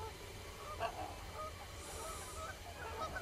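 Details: Common cranes calling: several overlapping honking, trumpet-like calls at mid pitch rise out of steady low background rumble, some short and clipped, others drawn out, suggesting a group of birds.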